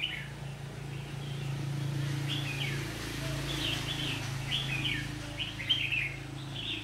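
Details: Red-whiskered bulbuls caught in a trap while fighting, recorded 27 September 2019; quick rolling whistled notes repeated rapidly over a steady low mechanical hum.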